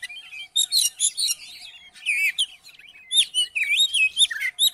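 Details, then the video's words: Oriental magpie-robin (kacer) song, used to provoke another magpie-robin into singing: rapid varied phrases of sweet whistles, buzzy notes and sharp chirps, with bursts of high trills and rising-falling slurs, a faint steady hum beneath. "COBA DIPANCING DENGAN KICAUAN KACER INI"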